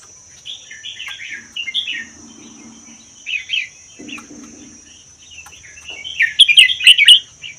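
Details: Red-whiskered bulbul, wild Vietnam–Laos bird kept one year, in 'double' song style: several short warbled phrases with pauses, soft low buzzing between, ending in a loud rapid tumbling warble; steady high whine throughout.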